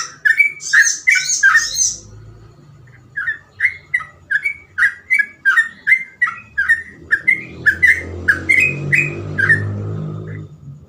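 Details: Sooty-headed bulbul in gacor ropel song, phrases described as easy to imitate: a high twittering opening, then a long fast series of short whistled notes over a steady low background rumble that grows louder later.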